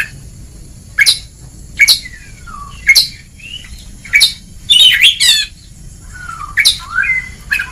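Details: White-rumped shama training recording in ngeplong style for lazy birds: sharp clicks and short whistled slurs spaced about a second apart, with one chattering burst.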